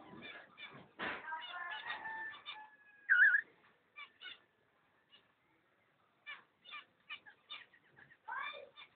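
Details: Pair of cockatiels from 5 June 2011: a run of raspy chattering calls with a sustained whistled note, one loud warbling whistle near three seconds, then short separated chirps and a final raspy burst.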